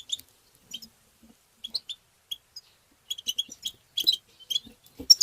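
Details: European goldfinch singing tbtba: isolated bright chips at first, then a quickening run of tinkling twitters toward the end, with soft low knocks.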